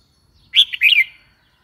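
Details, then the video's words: Red-whiskered bulbul delivering one short, rich, warbled phrase of two slurred chirping notes, clear and close against silence. "Red whiskered bulbul call 04"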